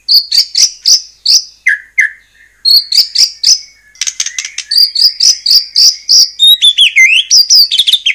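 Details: White-rumped shama song used to make other shamas sing. Choppy bursts of high whistled notes repeat about three per second, with a few lower slurred notes and a twisting rising-and-falling phrase near the end.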